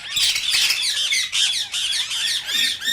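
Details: Rose-ringed parakeet calls, said to stimulate singing and mating in other parakeets that hear them: dense, overlapping harsh squawks with shrill harmonic sweeps, nearly continuous for three seconds with brief dips.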